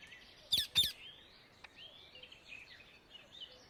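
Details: Indian ringneck parakeet in the wild, two harsh, loud squawks in quick succession, followed by faint chirps and whistles from other birds in the background.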